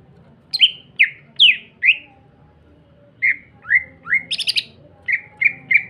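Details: Eagerly singing greater green leafbird whose song is played to make other leafbirds respond: falling whistled slurs, a gap, rising notes and a short chattering buzz, then three evenly spaced clear whistles, over a low background hum.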